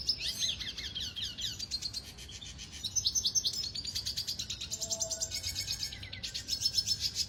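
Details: Venezuelan red siskin training song: a long unbroken stream of high, rapid chattering and buzzy trills, notes tumbling quickly one after another with brief shifts in pitch.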